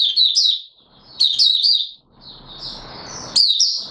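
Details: Mata Puteh Raja white-eye in a cage, singing its opening song before reaching full condition, 9 May 2022: a few high, slurred chirp phrases separated by a gap with soft rustling noise.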